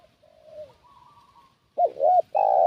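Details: Decoy calling of a spotted dove, used to attract wild doves: faint, soft sounds at first, then loud hollow coos, a short note followed by two longer ones.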